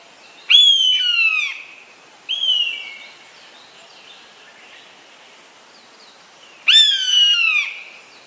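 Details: Eastern buzzard, a large bird of prey. It gives two loud, drawn-out mewing calls, each starting high and sliding down over about a second, with a fainter, shorter mew between them. The background is quiet.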